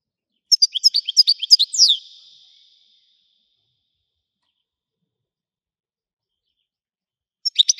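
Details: European goldfinch singing in the Widani style: a quick burst of high, bright twittering and tinkling notes lasting about a second and a half, then a long silence before a short fragment of the same twitter returns.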